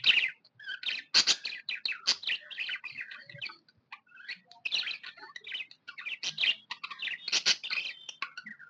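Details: Contented budgerigar in continuous busy chatter, scratchy buzzes and quick whistled twitters tumbling together almost without a break.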